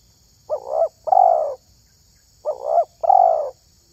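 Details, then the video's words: Terkukur, a spotted dove valued for its call when luring doves: two paired coo phrases, each a brief quavering hoot followed by a fuller, drawn-out coo, separated by a pause of nearly two seconds. "SUARA TERKUKUR INI SANGAT ISTIMEWA"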